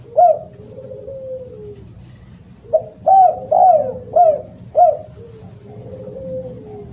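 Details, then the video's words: Loud spotted dove: a brief coo with a soft falling tail, a pause, then a burst of five firm coos spaced about half a second apart, ending in a long quiet rolling note. "SUARA BURUNG DERKUKU ( suara keras )"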